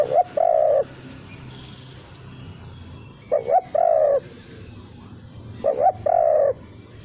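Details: Spotted dove lure call without the closing 'kuk' note: three cooing phrases about every three seconds, each a quick stuttered note pair, then a mellow arched coo and a longer wavering coo, over faint low background hum.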